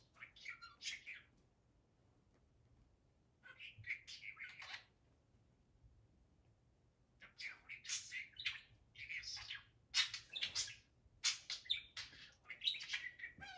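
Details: Caged pet budgerigar, a male, chattering to his toys; bursts of squeaky, buzzy warbling and clicks separated by quiet pauses, busiest in the final six seconds.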